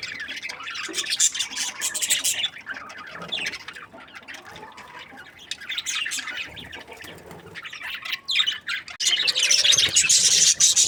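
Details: Happy budgerigars chirping together: dense, busy twittering and scratchy high chatter from several birds, with louder squawky bursts near the start and a rising wave of bright warbling toward the end.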